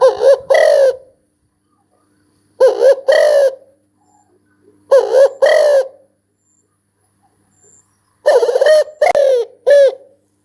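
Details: Spotted dove calling in paired low coos, a short note followed by a longer throaty one, with phrases spaced about every two to three seconds and quiet between them.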